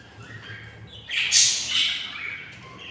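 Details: Hungry budgerigar chicks, six in the nest at day 20, give a harsh, raspy burst of begging that swells to a loud peak midway, then trails off into softer hissing.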